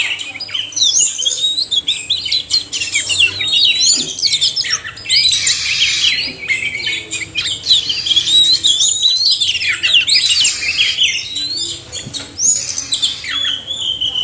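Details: Male and female oriental magpie-robins singing together in a dense, unbroken chorus of varied high whistles, slurred sweeps and rapid chattering phrases, with harsher buzzy bursts around three, five and ten seconds.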